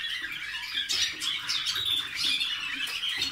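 Waterslager canary singing a dense, unbroken stream of high warbled and bubbling trills with rapid, rolling phrases, heard in a small room.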